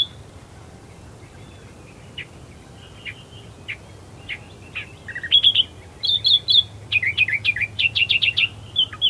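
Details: Australian reed warbler in reeds at first light, Herdsman Lake, Perth, Western Australia: sparse scattered chirps swell into a fast, loud series of rich, rhythmic repeated notes in the latter half, over a low steady hum.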